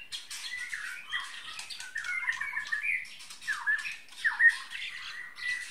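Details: White-rumped shama, Bahorok type with a 33 cm tail, giving a steady stream of scratchy, chattering notes with a few short whistles. The sounds stay at a fairly even middle pitch throughout, harsher than its clear whistled phrases.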